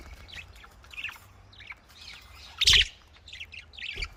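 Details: Budgerigars from a breeding setup give soft, separate chirps and twittering notes. A loud, sharp burst of sound breaks in near the middle, and brief chirps follow it.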